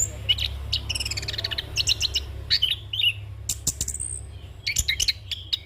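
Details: Young orange-headed thrush in a continuous rolling song full of varied phrases, used to train other birds and as a lure: quick high trills, ringing whistles and sharp chips run together, with a low steady hum underneath.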